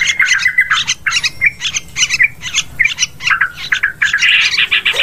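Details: Yellow-vented bulbul calls meant to attract birds for hunting in forest, rice fields and plantations: lively harsh chatter with bubbly chirps, rising to a dense noisy burst near the end.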